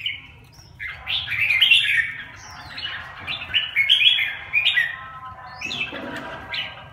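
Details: Bulbuls of the red-whiskered kind harassing each other, a tumbling series of bright chirps and slurred whistles, loudest early on, then scattered sharper notes toward the end.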